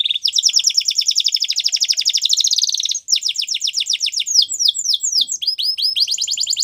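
A Belgian canary sings a continuous, high, rolling trill. After three seconds it shifts to faster, sweeping notes and then to rapid descending note series. No other sounds.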